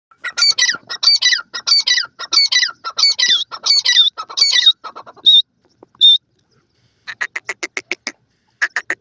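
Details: Francolin chicks calling: a fast series of harsh, squawking notes about once a second, then two thin high peeps and a run of dry, clicking pulses.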